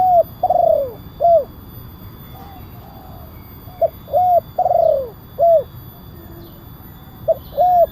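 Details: Kuk 1 spotted dove call, big-voiced, for attracting wild doves and as a training master: repeated mellow phrases of arched coos and a long descending coo, with a brief pause of a few seconds between them.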